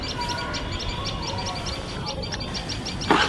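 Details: Loud, shrill tailorbird alarm as a pair guards its nest from a nearby male cat: rapid sharp high chips, a short pause, then more, ending in a burst of noise.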